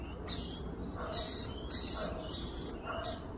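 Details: Australian rainbow lorikeet mother feeding her young, giving five loud, screechy rasps, each about a third of a second long, spaced by brief pauses.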